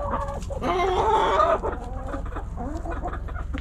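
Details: Backyard chickens, hens and roosters: a harmonic crow-like squawk peaks around the first second and a half, followed by scattered low clucks against steady low hum.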